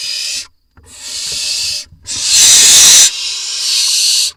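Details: Barn owls at an Israeli nest box, 4 July 2021, parents bringing voles to the young: a short hiss, a pause, then a longer hiss swelling into a harsh, strident screech before easing back.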